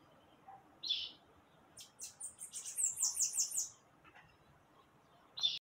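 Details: Bananaquit, locally called sibite, singing: a short thin note opens, then a run of very high, buzzy, wheezy notes that quickens into a rapid descending series. Single sharp high chips sound at the start and end over a quiet background.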